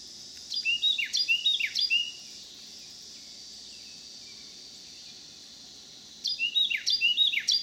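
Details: Carolina wren, one of a resident pair, singing from a house's back deck in St. Louis County, Missouri, in July 2018; loud rolling phrases repeated quickly for about two seconds, then again after a pause, against a constant high insect drone.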